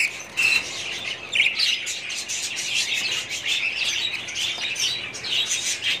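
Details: Colony of budgerigars, 2017, giving nonstop layered chirping and squawky warbling, with a short pure whistle near half a second and another bright note around one and a half seconds.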